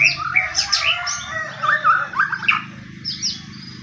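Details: White-rumped shama of the pastol type singing in fighting form as a lure for other shamas; dense bursts of sharp, sweeping whistles and chattering notes, then a pause and a short, high phrase.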